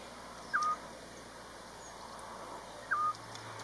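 A Eurasian scops owl gives two short, mellow whistled notes, each about two and a half seconds apart, over a steady faint background hum.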